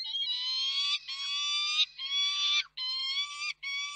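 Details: Peregrine falcon at the Reda nest, 4 May 2023, while the male brings food and the female feeds the chicks. Clear, nasal, tonal wails run in five long segments with short breaks, steady in pitch.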